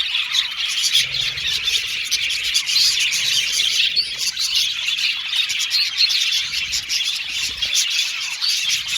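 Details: Aviary colony of budgerigars keeping up a busy, unbroken warbling chatter, many bright chirps and squeaky notes layered together at steady loudness.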